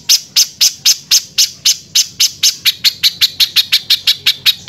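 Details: Spiderhunter singing harshly and without pause, a training recording for other birds: rasping high notes that start spaced and quicken toward the end, about fourteen notes in under five seconds.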